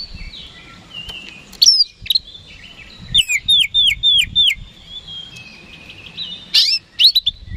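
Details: Kacer, the oriental magpie-robin, used as a daily lure song to make rival birds respond fast: scattered whistles, then a run of six quick descending slurred notes, a pause, and a final burst of sharp notes.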